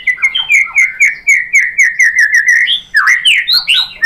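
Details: White-rumped shama (murai batu) provoking song meant to make birds answer, sing and show their repertoire: a quick run of bright whistled notes near one pitch, about seventy-eight per minute, ending in higher rising and falling phrases.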